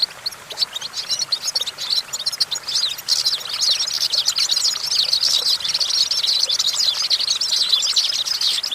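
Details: A goldfinch perched on a branch keeps up a busy, high-pitched twittering song of quick chirps and scratchy trills, building from softer notes into a continuous stream.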